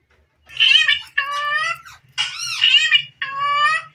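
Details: Green desi parrot, a pet playing in front of a mirror, giving harsh nasal squawks in four bursts, each about half a second to a second long, with a faint low hum.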